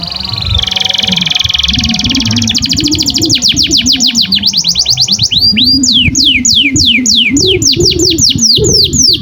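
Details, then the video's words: Canary tutor song for youngsters and birds that have stopped singing: a buzzy trill giving way to fast falling sweeps and looping whistles, over steady low instrumental music. "SUARA BURUNG Kenari GACOR PANJANG INI Cocok untuk Masteran KENARI PAUD dan Kenari Macet BUNYI"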